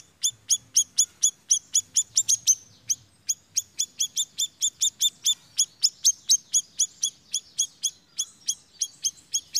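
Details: Small minivet call used as a lure to prompt other birds to sing: a steady run of thin, high, sweet notes, about three each second, with no other clear sounds.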